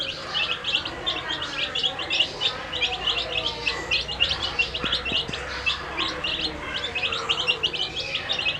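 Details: Brightly dyed domestic chicks having their food; constant shrill peeping from a group, short rising notes repeated several times a second, with a few soft knocks in the background.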